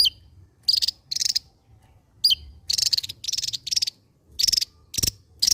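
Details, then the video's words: Javan white-eye, a Java endemic, in full sharp 'ngebren' drilling song, a rapid run of loud buzzy rattling bursts broken by brief downslurred whistles, with one sharp low click. "SI MUNGIL BERSUARA T4JAM..SANG BURUNG ENDEMIK JAWA YANG MEMUKAU,GACOR NGEBREN BAK BURUNG BESAR"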